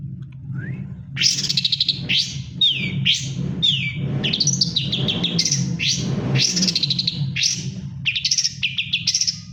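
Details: Long-tailed shrike in moult, still singing actively: a varied run of sharp chirps, short whistles and buzzy notes, some rising and some falling, delivered almost without pause over a steady low hum.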